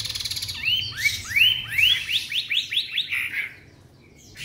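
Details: Three-month-old white-rumped shama, caged, singing a series of clear upslurred whistles, about eight notes rising sharply one after another, then a brief quiet stretch.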